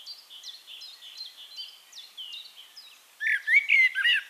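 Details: High, regular chirps from another bird lead in, then a Eurasian blackbird breaks in with a loud, mellow, fluted warble ending in squeaky twitters. Recorded in Castricum, the Netherlands.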